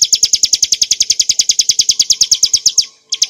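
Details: Bar-winged prinia song for cage-bird training: sharp, high chirps at a quick, regular pace, falling silent for a moment before the rapid chirping starts again.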